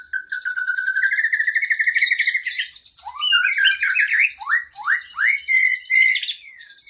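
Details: Kacer (oriental magpie-robin) training song with long fill-ins for cage birds. A gently rising whistled phrase is followed by a burst of sharp upslurred notes, all under a fast, buzzy, high-pitched trill.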